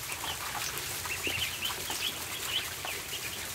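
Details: Several ducklings peep during feeding time in a barn, giving a run of bright, high, slightly rising chirps in the middle section over continuous clicking and rustling.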